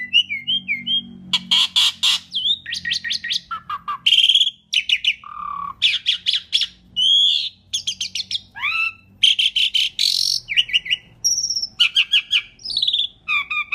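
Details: Asian pied starling in loud, energetic song, used as a lure for other birds: a rapid, varied run of whistles, harsh chattering bursts and sharp rising and falling notes, one after another with short gaps, filling the whole stretch.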